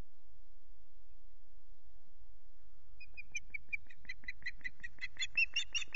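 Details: Lone female osprey on the Loch Garten nest, unringed, calling for a mate who stays away. After quiet, a run of piercing whistled chirps begins and quickens, growing louder and more insistent toward the end.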